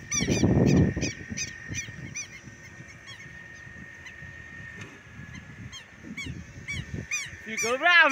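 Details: Southern lapwing, angry and probably protecting a nearby nest on a rural smallholding, gives rapid, grating notes that fade mid-recording, then a loud harsh burst close by at the end; a man talks softly in Portuguese.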